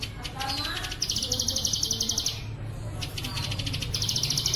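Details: Plain prinia on a clear-voiced Indonesian training recording made for bird keepers, with bren cililin fill-ins: two long bursts of fast, buzzy, evenly pulsed high notes separated by a short pause, with a low hum beneath.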